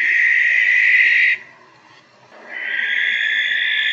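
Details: Barn owl (Tyto alba) in the UK giving two long, harsh, hissing shrieks, each over a second long, with a short pause between them.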